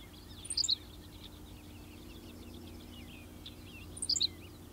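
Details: Henslow's sparrow singing on 19 June 2016 at Goose Lake Prairie State Natural Area, Illinois: two very short, high, hiccupping 'tsi-lick' songs about 3.5 seconds apart, over faint twittering birds and a low steady hum.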